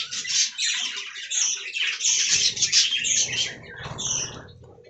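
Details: Budgies enjoying fresh green leaves call in quick, scratchy chirps and short squawks, several per second, over continuous warbling. A rustling, shuffling noise joins toward the end as the chatter fades.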